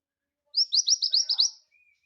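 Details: One crisp phrase from a vigorously singing scarlet minivet, used for training other birds: seven high, slurred whistles delivered quickly in a row, then a faint thin tone trailing off in near silence.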